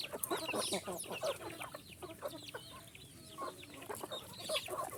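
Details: Little chickens calling together: a dense, overlapping chorus of high, thin peeps and short clucks with no pause.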